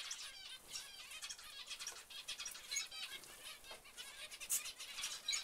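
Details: Several zebra finches give quick nasal beeps and chirps in a steady busy chorus, the notes crowding one another, with a faint flutter of wings.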